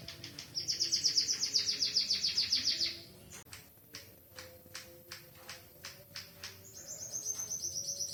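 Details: Canary-tutored white-headed munia delivering a bright, high, rapid rolling trill for three seconds, then a run of dry, evenly spaced clicks, before the trill resumes.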